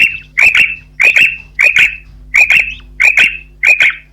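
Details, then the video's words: Female common quail uttering repeated two-part calls, a short chip then a drawn note, about every 0.6 seconds, loud and clear against a faint steady hum. "Common Female Quail Calling"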